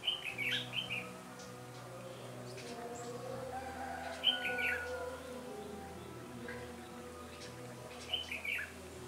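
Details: Fighting song of a red-whiskered bulbul during bird trapping, 13 January 2017: three short chirpy whistled phrases spaced several seconds apart, with a constant low droning hum underneath.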